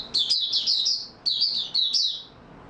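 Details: An Oriental white-eye, recorded 28 February 2022, sings two quick bursts of high, thin twittering notes, each about a second long, tumbling and slightly descending.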